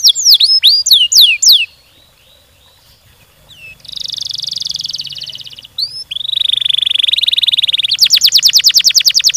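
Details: Canary song with looping whistled notes, a pause, then steady buzzy rolling trills and a final fast series of sharp descending sweeps.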